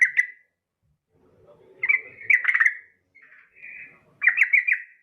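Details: Female Yellow-vented Bulbul (trucukan) calling to a male. Short bursts of bubbly, chattering notes come at the start, near two seconds and again near four seconds, with a faint low murmur and a softer warble between them.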